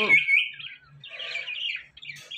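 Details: Ringneck parrot talking: a sharp, high squawk-like syllable, then bursts of chattering, speech-like sounds and a short rising squeak at the end.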